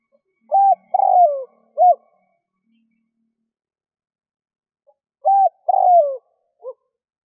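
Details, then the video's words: Spotted dove cooing a call used to lure wild doves: a low, hollow phrase of a short note, a longer falling coo and a clipped final note, given twice about four seconds apart in otherwise quiet surroundings. "Tiếng chim cu gáy kích bổi"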